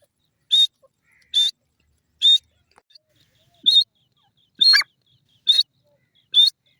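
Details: Sindhi teetar, or grey francolin, uttering seven harsh, high, ringing notes at roughly one-second intervals; one note carries a lower rasping tail, with faint clicks between calls.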